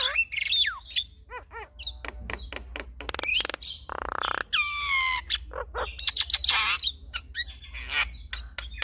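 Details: Javan myna pair, male and female, singing together: squeaky whistles, descending slurred notes, harsh grating bursts and rapid clicks, with a long downward-curving whistle midway and a low hum beneath.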